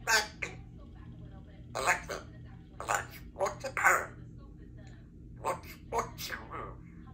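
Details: A 3-year-old female Congo African grey parrot practising her words and sounds indoors: short speech-like bursts about a second apart, such as "give me a kiss" and "back to work", mixed with harsher squawks over a low hum.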